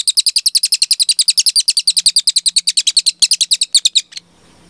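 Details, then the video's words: Cililin in full, clear long-burst song prepared for teaching cage birds: a fast, even string of high, piercing chips, roughly seven a second, running over four seconds, then stopping abruptly with faint background hiss. "MASTERAN CILILIN GACOR JERNIH TEMBAKAN PANJANG"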